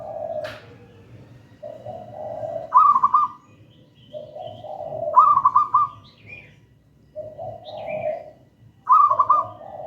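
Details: Singing local zebra dove, gedang rojo style, kept as a lure and master song; cycles of soft low cooing followed by a rippling higher trill, with a few thin chirps from another bird in the background.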